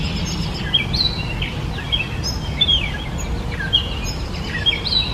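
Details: Gray Catbird (Dumetella carolinensis) chirping amid noticeable background noise: sharp high squeaks and short slurred notes repeated in loose phrases about every second, over a low rumble.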